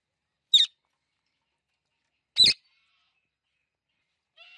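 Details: Clicking from a talking Indian ringneck parrot: two short, sharp clicks nearly two seconds apart, followed by a faint brief chirp near the end, with quiet surroundings.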